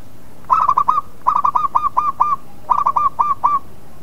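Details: Local perkutut, the zebra dove, cooing as bait to draw replies from rival birds: three rhythmic phrases of quick staccato coos, the middle phrase longest with about seven notes, short gaps between, faint background hum throughout.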